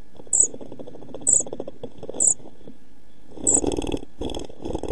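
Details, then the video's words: Pied flycatcher chicks aged 11-12 days, near fledging, in a nest box filmed on 29 June 2013; four sharp high begging notes amid loud fluttering and scrambling noises in the box. "Kirjosiepon poikaset 11-12 päivää / Pied flycatcher's chicks 11-12 days"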